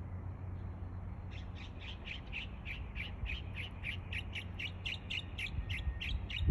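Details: Mockingbird mimicking other species: a steady run of harsh, evenly spaced chirps, about three a second, that continues to the end over a low hum.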